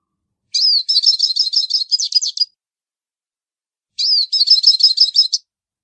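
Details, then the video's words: A hooded siskin sings two similar phrases, each a down-curving whistle leading into a rapid, buzzy trill of high notes about two seconds long, with a clean, quiet background between them. "canto do pintassilgo baianinho"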